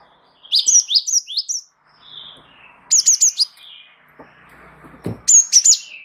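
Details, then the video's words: Java sparrow, wingko variety, singing eagerly in a rolling manner for use as tutor song: three clusters of bright, high, tumbling chirps, each of four to six notes, separated by quiet gaps with a low knock near the end. "gelatik wingko gacor ngeroll pancing bunyi suara masteran burung gelatik"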